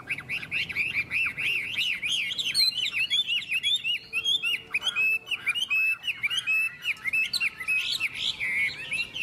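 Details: Two Chinese hwamei, neither yet owned, sing against each other in a hót đấu singing contest, trading rich, rapid, varied phrases of bright whistles, slurred notes and warbles that run almost without pause and overlap throughout.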